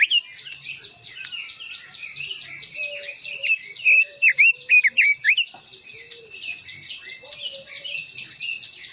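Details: Japanese white-eye (quế lâm) in long-voiced song. Dense, fast, high twitters with quick up-and-down slurred notes run throughout, loudest around the fourth and fifth seconds, with a continuous high background hiss.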